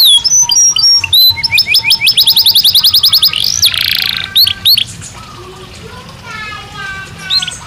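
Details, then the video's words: Belgian canary singing naturally as a daily training stimulus: quick repeated chirps building into a fast rolling trill, a rising arched whistle and a buzzy burst, ending in softer fading notes. "Som de 1 Hora com Canario Belga Cantando Naturalmente"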